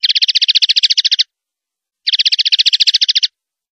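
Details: Singing male common linnet in the countryside, seeking a perch in shrub or hedge: two bursts of rapid, dry rattling trill, each over a second long, separated by a pause.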